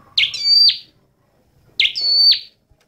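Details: Two crisp high phrases from a scarlet-backed flowerpecker, a small red-headed bird of the wild, each a quick falling flick drawn into a steady thin whistle that snaps downward at the end, separated by a second of near silence.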